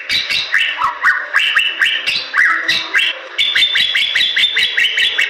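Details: Bali myna in gacor song, calling actively: quick rising and falling whistled phrases mixed with dry clicks and chatter, delivered almost without pause, with a faint steady low hum beneath.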